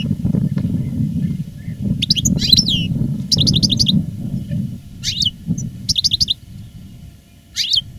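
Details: European goldfinch, a kept veteran master singer of the reclamo song style, recorded live in 2017 after its moult; short bursts of rapid, buzzy, twittering high notes in phrases separated by pauses, over a low rumbling background.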